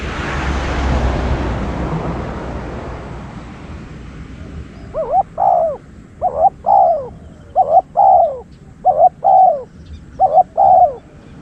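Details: Spotted dove used as a decoy for luring wild birds: after a burst of rushing noise fades, five regular cooing phrases follow, each a quick hiccuping note and a longer descending coo.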